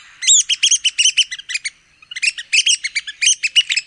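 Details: Red-cockaded woodpecker of the southeastern United States in a dense, rapid chatter of squeaky, slightly buzzy high notes, two bursts separated by a short pause, each note clipped and closely spaced.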